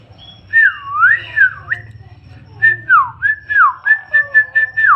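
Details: Gacor-style singing from an Asian pied starling: clear looping whistles that dip and rise, then a run of short repeated whistled notes roughly every half second, with a soft low hum beneath.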